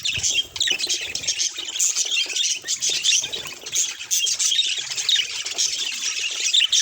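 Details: Continuous high, scratchy warbling from a pet budgerigar. Rapid clicks and squeaky chirps are packed closely together, with short brighter peaks every second or so over nearly seven seconds.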